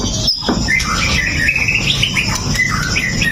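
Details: White-rumped shama, described as a pastol fighter, singing to goad other males, recorded on a Xiaomi Note 8 Pro. A brief stretch of warbled whistles and slurred notes plays against low background noise.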